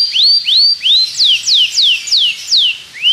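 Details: Belgian canary singing in a training recording for other canaries: slow whistled slurs, first rising then falling, about three per second, loud and clean.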